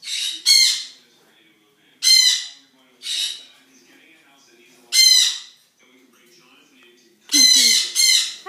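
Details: Noisy birds on a zoo morning: loud, harsh squawks in short bursts with rich upper harmonics, coming singly or in pairs a second or more apart, with silence between, ending in a quick double squawk.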